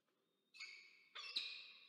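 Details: Peregrine falcons at a camera-watched nest on the Charles Sturt University campus, Orange, New South Wales, Australia, 22 October 2024, as the male delivers food and the female feeds two chicks. After a faint thin tone come two harsh, grating, drawn-out cries, the second louder.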